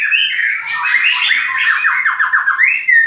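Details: Captive white-rumped shama at a Klaten bird breeding farm producing a rapid buzzy, scratchy trill of repeated mid-pitched notes, finishing with a clear upward slurred whistle.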